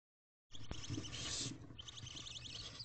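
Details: Four barn owl owlets in a nest box at 2:55 am on 11 April 2023, being fed by their mother, begging with a sustained, rasping broadband hiss that starts abruptly and runs on with a brief break.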